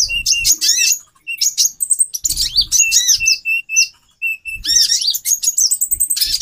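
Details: A female konin (kolibri ninja) calls to stir a male into breeding condition, giving sharp, high twittering bursts mixed with short, repeated, steady whistled notes, with brief pauses between phrases and faint low knocking underneath.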